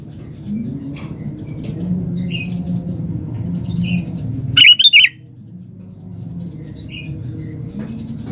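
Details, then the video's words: Lively gacor sooty-headed bulbul delivering a single loud, bubbly whistled phrase midway, surrounded by faint scattered chirps and a steady low rumbling background. "SUARA BURUNG KUTILANG GACOR SATU INI"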